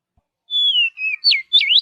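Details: Oriental magpie-robin singing in forest: a long sweet whistle sliding gently downward, a softer level note, then two rapid falling and rising swoops.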